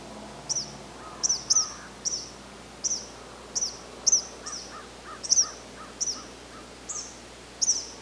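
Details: Eastern kingbird in Canada calling steadily with sharp, high-pitched, sputtering buzzy notes, often doubled, repeated roughly once a second; quieter lower chirps in the background.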